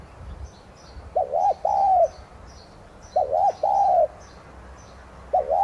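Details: Spotted dove, Streptopelia chinensis tigrina, used as a decoy for triggering song; two full phrases and the start of a third, each two short arched coos and one longer falling note, about two seconds apart, faint chirps above.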